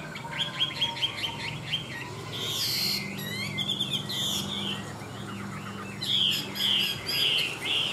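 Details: Tame Chinese hwamei song mixing short repeated chirps, harsh buzzy bursts and sweet slurred whistles in an irregular sequence, over a low droning hum.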